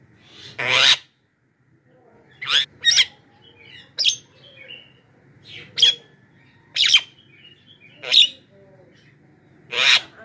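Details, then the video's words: Loud Javan myna lure call for drawing in wild birds: sharp harsh shrieks and clicks scattered over ten seconds, single or paired bursts roughly every second, quiet gaps between, a faint low hum throughout. "suara pikat burung jalak kebo,jeritan dahsyat untuk pancingan dan memanggil jalak liar"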